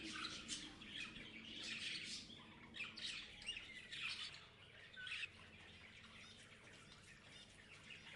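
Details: Parrots chirping and squawking in irregular scratchy bursts for about five seconds, then the sound fades to softer, sparse chatter.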